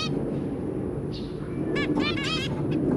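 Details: Kept zebra finches, parents with three babies, 23 January 2022: after a quiet start, a burst of rapid nasal honks bunched into about half a second, then one last beep, over low room noise.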